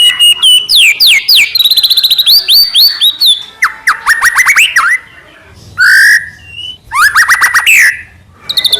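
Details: White-rumped shama singing with plenty of filler phrases, its song intended to make other shamas answer. Fast trills and falling whistles come in bursts, with a pure two-note whistle and brief silent gaps between bursts.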